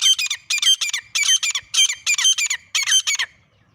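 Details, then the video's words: Grey francolin pair calling, used as a partridge hunting sound: clipped, shrill triple-note phrases repeated in quick succession, each bright and metallic, ending abruptly into quiet. "Final Sound of Partridge Pair"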